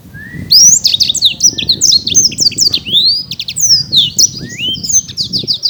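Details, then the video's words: Caged prize-winning black-throated canary pouring out a continuous high song of looping whistled slurs, chirps and short trills, starting after a brief low whistle. "Burung Blackthroat Gacor"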